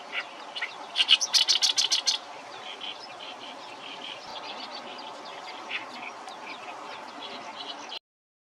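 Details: Oriental reed warbler song pieced together from short fragments: a loud burst of rapid harsh repeated notes for about a second, then quieter scattered chattering phrases continuing until an abrupt cut.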